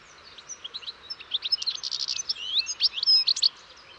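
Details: European goldfinch song: a continuous, rapid, high twittering of varied chirps and slurred notes that grows louder and denser toward the end.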